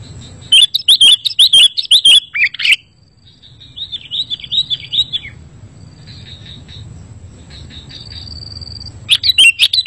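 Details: Sooty-headed bulbul song used as a lure to prompt other bulbuls to answer: bursts of bright, bubbly chirped phrases at the start and end, with quieter twittering between and a faint steady whine throughout.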